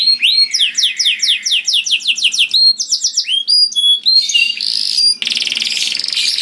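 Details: Melodious, powerful canary song for luring others of its kind, steady series of fast repeated notes, then sharp whistled phrases, ending in a dense buzzy rattling trill.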